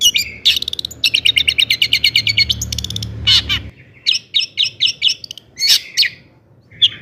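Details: Long-tailed shrike song used to rouse other shrikes; a fast rhythmic series of chattering notes with rattles, followed by evenly spaced sharp chips and a few louder bursts.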